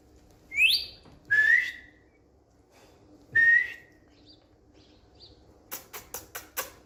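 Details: A pet Indian green ringneck parakeet whistling on a bed gives three clear, rising whistles about a second apart, followed by a quick run of five sharp clicks or taps.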